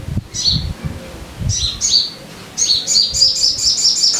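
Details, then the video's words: Sogon chirping used to make caged birds sing: a few separate high, ringing double notes, then a rapid chattering series of bright chirps, over low thumping noise. "Pancingan Suara Burung Sogon Biar Cepat Gacor"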